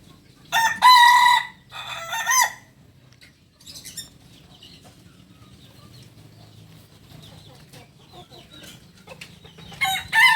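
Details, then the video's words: Kukuak Balenggek rooster from Solok, West Sumatra, giving two loud harmonic crow phrases near the start, then a long quiet stretch with faint clucks, and another crow beginning at the end. "Ayam kukuak balenggek ayam asli solok sumbar"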